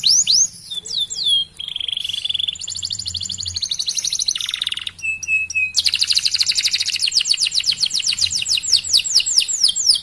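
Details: Canary song meant to prompt other canaries to sing: varied phrases of falling whistles, steady tones and buzzy notes, then a long rapid trill of repeated chirps.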